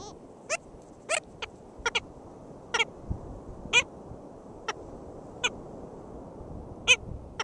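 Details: Nasal, barking yaps from black skimmers at their nest, St. George State Park, Florida, 22 June 2013, coming in uneven runs with some close pairs, about a dozen in seven seconds, over soft background rumble.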